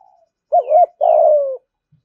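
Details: Spotted dove, a caged ornamental bird, giving thúc gù cooing: a short wavering double coo followed at once by a longer, steadily falling coo, one phrase against a silent background.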